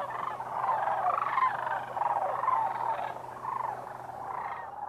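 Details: A winter flock of over 20,000 sandhill cranes at Whitewater Draw Wildlife Area, southern Arizona, fills the air with overlapping rolling, rattling bugles, a constant mid-pitched chorus over a faint steady low hum.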